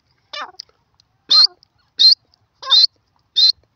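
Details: Grey francolin, or teetar, calling loudly: five harsh, ringing notes, each with a strained higher ending, spaced about two-thirds of a second apart against an otherwise silent background.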